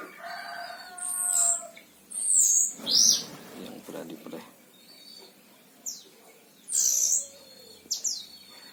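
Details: Caged oriental white-eye of the Himalaya variety from Sragen, Central Java, Indonesia, singing actively: bright high whistled and chirped notes in short bursts, some sweeping downward, with a man talking underneath.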